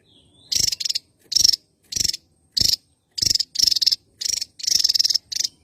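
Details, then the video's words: Javan tesia, endemic to Java island, singing lively: about ten brisk, high, chattering pulsed bursts, mostly short, with a few longer rattles, spaced irregularly. "tesia jawa gacor"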